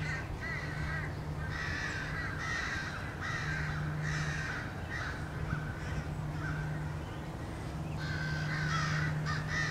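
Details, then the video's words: American crows mobbing a male bald eagle returning to its nest, 30 March 2016: a steady stream of harsh, overlapping caws from several birds, with a constant low hum beneath. "Crows attack"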